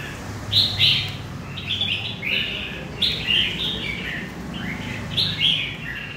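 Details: Wild-caught red-whiskered bulbul from central Vietnam singing: short bright warbled phrases, slurred up and down, delivered in bursts roughly every one to two seconds, over a faint low hum.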